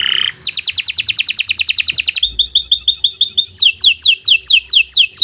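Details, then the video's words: Canary singing continuous 'gacor' song for a training recording: a brief note, then a long fast buzzy trill, a series of short chirps and a rolling run of sweeping notes. "Kicau Burung Kenari 116 II GACOR PANJANG"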